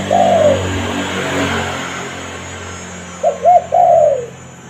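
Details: Spotted dove calling, a sound used to attract wild doves: one drawn-out descending coo, a pause over steady low hum, then two quick arched notes and a long falling coo.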